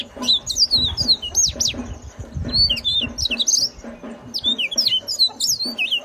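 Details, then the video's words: Yellow-fronted canary singing a rapid, ringing medley of high twittered and whistled notes, swooping up and down, with some low rumbling noise in the background and faint steady pulses. "suara khas burung mozambik yang nyaring"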